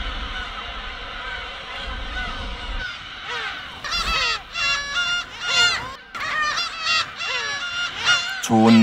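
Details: A dense chorus from a breeding colony of some 20,000 Black-tailed Gulls settling on nests on uninhabited Hongdo island off Tongyeong, Korea: harsh, nasal, mewing calls that slur downward and overlap constantly, over a low hum and soft music.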